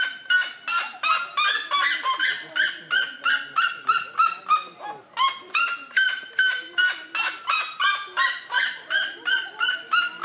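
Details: Red-legged seriema giving its territorial call, loud, harsh yelps in a fast, steady series of about three per second, with a barking, honking quality and no other sounds.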